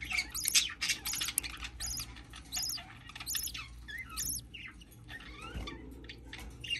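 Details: Baby budgerigar at hatching, giving rapid high squeaky peeps, arched and repeated in dense bursts, with brief rising and falling chirps between them over a low steady hum.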